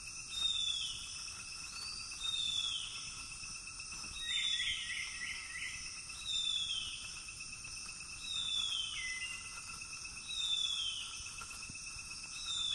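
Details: Juvenile female wild harpy eagle in the Amazon after a hunt: thin, high, descending whistled cries, repeated about every two seconds, over a steady shrill buzz of insects.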